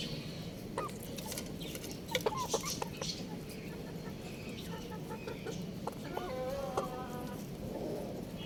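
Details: Little young rooster chirping: a few thin, hooked peeps early on, then a closer burst of clear, ringing chirps near the end, over steady hiss, scratching and low background noise.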